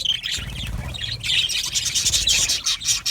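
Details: Budgerigars in a colony aviary giving sharp high whistles and squeaky chirps over a constant, busy warbling background of many birds.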